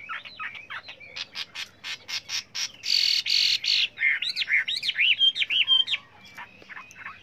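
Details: Training song of a Chinese hwamei: evenly spaced sharp notes, a loud harsh rasping burst, then looping, whistled phrases.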